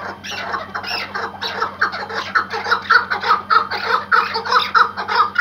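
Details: Tethered Iraqi white hunting partridge calling in a rhythmic chuk-chuk series, nearly two notes a second, growing louder and sharper toward the end.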